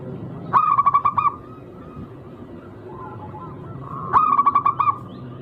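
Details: Zebra dove of a local wild strain with a rare, distinctive rhythm, singing to provoke rivals. Two loud bursts of rapid, rolling coo notes about three and a half seconds apart, with soft faraway cooing between them.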